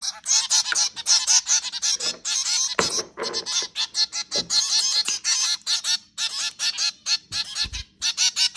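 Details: Zebra finches feeding at home, giving a dense chorus of short nasal, honking beeps that overlap rapidly and continuously, with several birds calling at once and a few soft low thumps underneath.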